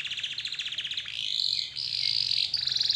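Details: Canary singing as a lure to prompt other canaries to sing: a fast, buzzy high trill gives way to long, bright, sustained whistled tones that shift slightly in pitch, over a soft low hum.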